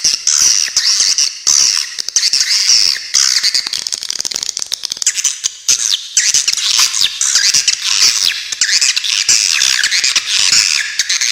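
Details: Swiftlets calling in a clear tutor recording meant for songbirds: a long stretch of high, buzzy twitters and sharp besetan rasps, densely packed with rapid clicks and short pauses.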